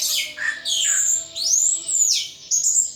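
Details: Captive thrush in full ngeplong song, with loud, sweeping whistles falling steeply and rising again, each phrase linked to the next almost without a break; a low constant hum is audible.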